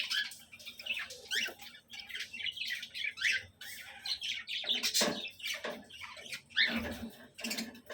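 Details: Several tame cockatiels kept for sale in LB Nagar, Hyderabad, give harsh, screechy squawks and chirps that overlap in a busy chorus.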